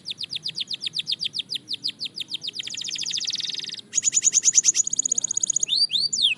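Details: Fast-tempo song of a Belgian canary: evenly repeated falling whistles accelerate into a rolling trill, then a high metallic rattle and a few looping slurred notes.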